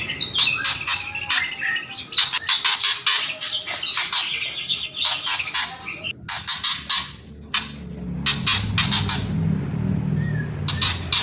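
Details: White-rumped shama kretekan: dense, dry, crackling clicks and rattles in rapid bursts with brief pauses, and a faint murmur in the background near the end.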